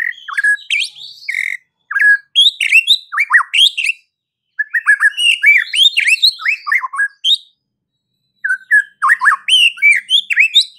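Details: White-rumped shama (murai batu) pouring out fast, varied phrases of whistles, chips and downslurred notes in three bursts separated by short silences, clear and loud.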